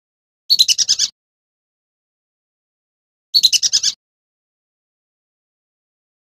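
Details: Male whistling duck, a clear-voiced lure call, gives quick bursts of six or seven high, clear whistled notes, about every three seconds, with silence between.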